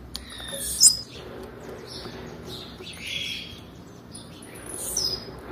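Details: Female blue-black grassquit call, aimed at stimulating males: a sharp high chirp early on, then faint scattered thin notes over low ambient noise.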